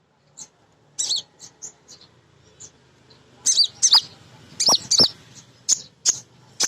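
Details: Female sunbird (kolibri ninja), an active singer used as a lure to get newly kept birds singing: high thin chirps and short twittering notes in scattered bursts, with a few sharp knocking clicks.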